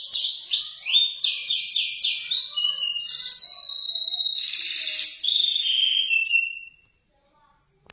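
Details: Canary in full, energetic song: rapid repeated swooping upward notes, then sustained rolling trills and buzzy phrases, high and continuous, ending abruptly in silence after about seven seconds.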